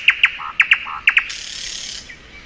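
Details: Spring song of a thrush nightingale: paired sharp clicking notes repeated three times with short low whistles between, ending in a dense buzzy rattle that fades away.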